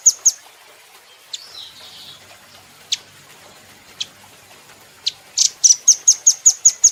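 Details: Velvet-fronted nuthatch training recording for cage birds. Widely spaced single high chips and a brief scratchy note give way to a rapid burst of high, thin notes delivered in a quick even rhythm at the end.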